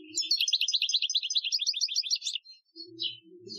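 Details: European goldfinch, Algerian training song (2015): a sustained, fast tinkling trill of high buzzy notes for over two seconds, followed by a pause, a soft faint phrase and low background hum.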